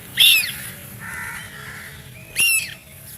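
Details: Distressed baby duck giving two loud, shrill, downward-sliding screams about two seconds apart, with a soft lower tone between them.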